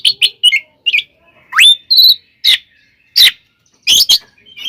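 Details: Oriental magpie-robin fighting song, played to rile rival magpie-robins, scratchy chattering notes, one steep rising whistle into a flat tone, then harsh bursts.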